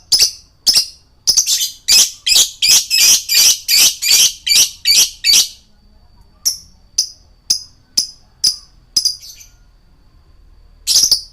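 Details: Male lovebird song for luring birds: a steady rapid string of loud, harsh buzzy notes, roughly three per second, then sparser sharp chirps and a final screech.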